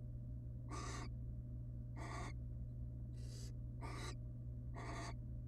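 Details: Resting wild barn owl family inside a monitored nest box; five rough, breathy hisses spaced about one second apart, each lasting around a third of a second, over a faint continuous mechanical hum.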